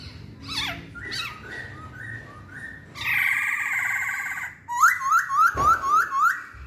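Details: Masked laughingthrush song: a sequence of clear whistled notes near 1–2k, a sustained harsh rich phrase, then a rapid run of six sharp upslurred whistles, with low background rumble.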